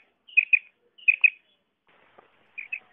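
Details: Common quail calling, recorded as a hunting sound: three bright, sharp double notes spaced about a second apart, with a faint low click between them.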